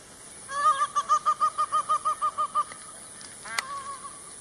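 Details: Peacock giving a rapid run of about a dozen short, evenly spaced nasal honks, slightly descending, then a sharp click and a brief trailing note.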